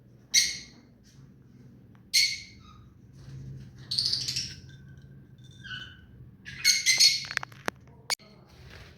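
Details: A tame pet ring-necked parakeet makes short, sharp, high chirps, then a longer rasping chatter and a final cluster of shrill squeaks. A low background hum runs throughout.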